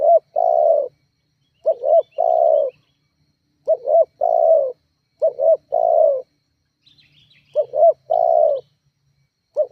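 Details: Spotted dove repeating its call to provoke rivals, used as a lure; about six even phrases, each two quick rising coos and a long falling coo, spaced roughly two seconds apart, with faint high chirps behind.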